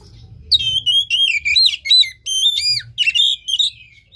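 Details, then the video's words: Oriental magpie-robin song meant to get a lazy, unmotivated caged bird singing: a continuous stream of loud, sweet whistles, quick rising and falling slurs and short trills, about a dozen phrases delivered rapidly over a low hum. "Pancingan KACER malas bunyi macet kurang birahi"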